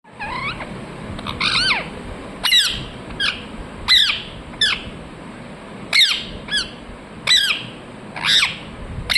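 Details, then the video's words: Ringneck parrot giving sharp, screechy chirps with strong harmonics, spaced about a second apart in uneven bursts, some doubled, over a faint steady background hum. "Ringneck parrot Chirping sounds"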